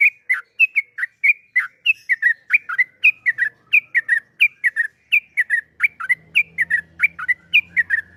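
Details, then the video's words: Yellow-vented bulbul giving a long rapid ropel panjang song: an unbroken series of clear whistled notes, each with a falling slur, delivered about three per second. A low hum enters near the end. "Kicauan Trucukan Gacor Suara ROPEL PANJANG MEWAH"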